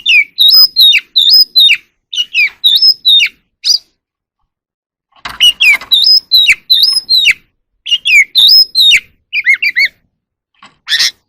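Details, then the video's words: Wild oriental magpie-robin singing and displaying in the evening: short phrases of clear, sharply modulated whistles and chips, each burst under a second, delivered in two bouts separated by a pause of about a second and a half. "Choè than hót múa buổi chiều tối"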